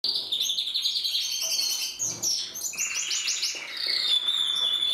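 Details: Several canaries sing at once in a continuous, dense chorus of high rapid trills, rolling chirps and sweeping whistles that overlap without pause.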